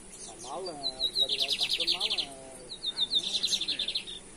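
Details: Singing lined seedeater, Brazil 2023, caça rato versus torneado song styles: two phrases each opening with thin high notes and ending in a fast buzzy rattle-like trill, while lower wavering calls of other birds sound underneath.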